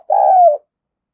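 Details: Single hollow coo from a spotted dove, lasting about half a second and sliding slightly downward, from a luring recording meant to provoke wild doves.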